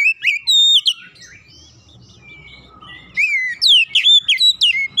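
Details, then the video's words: Oriental magpie-robin song used as a lure for other birds: loud rising whistles and sharp chirps, a quieter warbled middle, then a rapid string of bright swooping notes. "PANCINGAN KACER langsung latah ikutan gacor"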